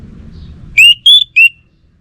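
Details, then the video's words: Orange-headed thrush in full gacor song: three loud ringing whistles in under a second, rising, then higher and level, then dropping back. A low murmur comes before them. "Sekali Dengar Burung ANIS MERAH Lansung Nyaut Gacor Tanpa Henti"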